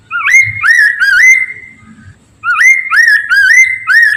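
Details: Black-throated laughingthrush singing loudly and steadily, played as a lure so others of its kind answer: quick runs of three or four rising, fluty whistled notes, a short gap, then another run, with soft low knocks beneath.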